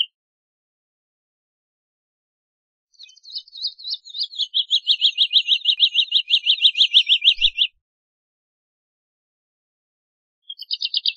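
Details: After a long silence, a Woodlark (Lullula arborea) begins with a few higher notes, then settles into a fast, steady, accelerating trill of identical notes lasting about three seconds. A new phrase starts near the end; the setting is otherwise silent.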